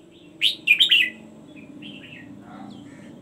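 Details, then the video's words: Red-whiskered bulbul singing the gulung double / daba song style: one short burst of rich, rolling warbled notes, followed by faint, thin notes over a steady low hum. "Merbah Jambul gulung double / daba"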